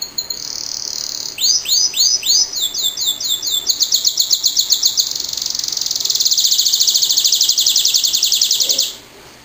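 A canary sings a long, high phrase: a short whistle, a run of swooping rising notes, then a fast, even buzzy trill held for several seconds.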